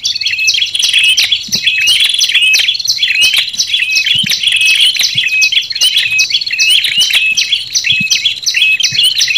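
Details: Olive-backed tailorbird calls combined with red-headed tailorbird, played to lure wild tailorbirds in forest: continuous stream of shrill chirps and clipped whistles, several voices layered, steady and unbroken.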